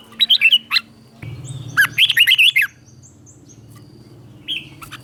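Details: Double-style red-whiskered bulbul master song for birds to copy: short warbled phrases, then a low steady hum underneath a fast run of bubbling notes, followed by faint chirps.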